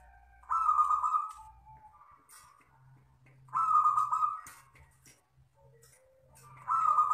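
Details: Wild local zebra dove singing the long "kristal" style: three strong, evenly spaced trilled coos about three seconds apart, each followed by a softer lower trailing note, over a faint low hum.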